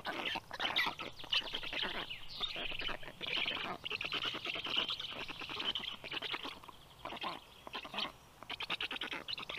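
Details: At a black stork nest, a female feeds her storklets at 10:37 a.m., 18 June 2022; fast bursts of harsh, clicking pulses come in runs of several per second, broken by short pauses.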